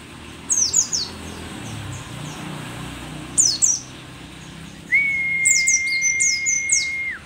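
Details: Rare pleci dakun, a mountain white-eye endemic to Merapi and said to sing vigorously despite age, delivers spaced bursts of thin, high descending chirps, then a long steady whistle beneath busier twittering toward the end.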